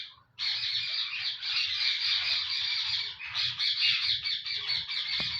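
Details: An active caged male parrot keeps up an unbroken stream of loud, harsh, buzzy squawking chatter lasting about five seconds.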